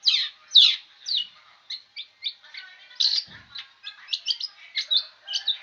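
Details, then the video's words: Long-tailed shrike singing nonstop: a quick, chattering run of short high notes and scratchy bursts, roughly two per second, in a quiet setting. "burung cendet ini tak mau diam"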